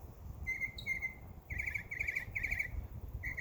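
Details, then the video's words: In a summer backyard, birds give a few clear, steady whistled chirps, then short trilled, buzzy notes in quick succession, over a faint low background. "Birds Chirping Sound"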